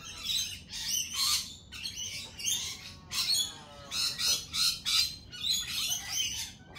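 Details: Loud, rasping lorikeet squawks delivered in a fast, uneven series of short harsh bursts, about two per second, from several birds calling at once.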